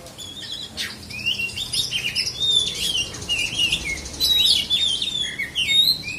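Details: Black-and-white kacer, the Oriental magpie-robin, from South Aceh, Indonesia, singing a steady stream of clear whistles, slurred notes and chattery trills, loudest in the second half, with faint low background hum.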